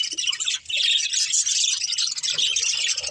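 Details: A short stretch of budgerigars chattering while playing and eating: unbroken, overlapping high chirps and warbles, buzzy in texture, with faint low clicks.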